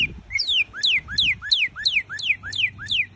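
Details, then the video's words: Northern cardinal song of paired notes: a short low upslur followed by a loud high whistle sliding down, the couplet repeated about three times a second in a steady rhythm. "O cardeal Norte Americano. Conheça o canto desse cardeal estrangeiro."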